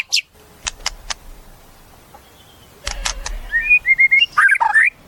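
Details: White-rumped shama singing: sharp dry clicks open, a brief pause, another burst of clicks, then a quick string of short whistled notes ending in a jumbled, warbling phrase.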